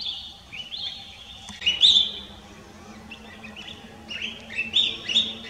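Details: Collared finchbill filmed at Lugu in December 2022: bright, chirpy notes in short slurred phrases, a loud burst near the middle and a cluster of quick twittering notes toward the end, with a steady low hum beneath.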